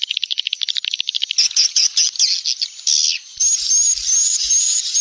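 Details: SP Neptunus swiftlet lure sound, used in the rainy season to attract swiftlets. Fast regular clicks open, followed by bright twittering chirps, then thin, high whistled notes drawn out over a faint low patter.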